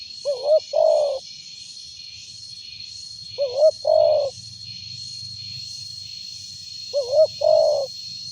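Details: Spotted dove with a big voice, offered as a lure recording, repeating a three-part phrase about every three seconds: two short rising hooted notes, then a drawn-out level coo, with a steady high whine and buzzing behind.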